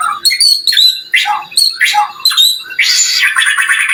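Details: White-rumped shama singing to stir other shamas into answering: harsh squawking phrases mixed with short whistles, delivered in choppy bursts about every half second.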